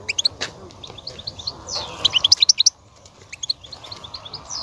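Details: European goldfinch song aimed at stimulating a female for mating and breeding: high, quick twittering notes in runs, with a sharper burst midway, over low background noise.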